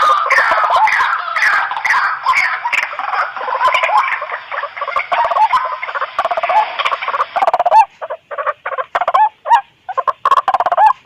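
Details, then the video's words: Noisy White-breasted waterhen calls for luring birds in: a jumbled, overlapping chorus of harsh croaks gives way to separate, evenly spaced loud croaking notes in the second half. "Suara pikat ampuh burung Ruak-ruak berisik"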